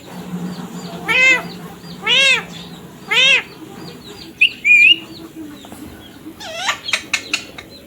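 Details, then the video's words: Ringneck parrot talking, saying "mummy papa": three evenly spaced, rich, arched voiced syllables, then two squeaky whistled notes and a few sharp clicks, over a soft hum. "Ringneck parrot #tallking mummy papa"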